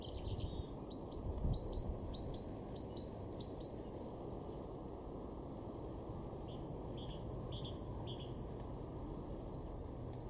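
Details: A European robin in a garden in Weener, East Frisia, northwest Germany, in March 2023 sings high, thin phrases of quick descending notes with short pauses between them, over a steady low rumble of background noise.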